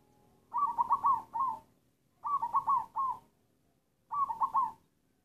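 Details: Black local zebra dove (perkutut) in its halting, coughing style: three choppy phrases of rapid burbling coos, each ending in a separate note, repeated about every two seconds.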